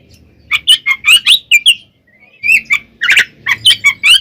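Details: Oriental magpie-robin fighting song meant to provoke other birds: loud varied whistled notes, some rising and slurred, split by a brief quiet gap, then more sharp whistles and a buzzy burst.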